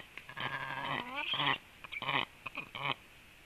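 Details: Storklets of the black stork in their nest, calling to one another during preening: loud, rasping, bleat-like harmonic calls in bursts, one sliding downward, others short and choppy, repeated over about three seconds.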